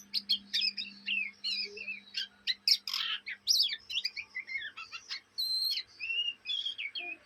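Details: Juvenile Oriental magpie-robin in Indonesia doing ngriwik, the chattering practice song given day and night; dense tumbling sequence of sharp clicks, upslurred and downslurred whistles and harsh buzzy bursts, almost without pause, over a low constant hum.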